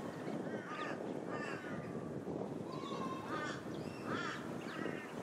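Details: Plumed whistling-ducks recorded on Queensland's Sunshine Coast in August 2023, giving thin, wavering whistles in clusters about every second against dense background noise.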